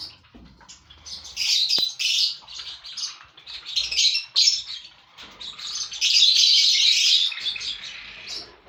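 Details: Lovebirds in a colony of five breeding pairs keep up a near-continuous shrill, buzzy chatter of overlapping squeaks. One sharp click is heard early on.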